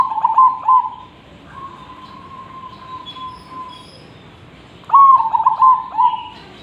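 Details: Zebra dove singing keenly, kept as a tutor for other birds: stuttered cooing notes, a long level whistle-like coo held for about two seconds, then another phrase of rapid, bubbling coos that run into drawn-out notes.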